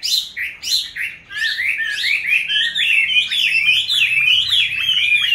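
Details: Caged hwamei, raised from a young bird to its fifth year, starts with a few separated whistled notes, then runs into a fast, fluid stream of rising and falling melodic phrases.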